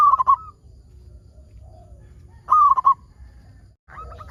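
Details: Local zebra dove in full song, used as a lure for other zebra doves: two stuttering rolling coo bursts about two and a half seconds apart, each ending in a short fading note, with quiet in between.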